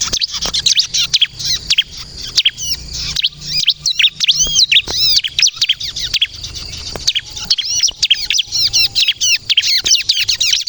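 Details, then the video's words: Crystal bar-winged prinia in energetic song meant to lure other birds and make them reply: continuous high twittering of quick up-and-down chirps and arched whistles, delivered in rapid bursts, with scattered sharp clicks. "suara burung ciblek kristal gacor untuk pikat dan pancingan ciblek bahan agar bunyi nyaut"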